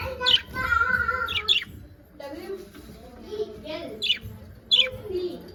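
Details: Budgerigars kept as pets give short high chirps and a brief warbling phrase, with pauses between calls and low mumbled chatter underneath.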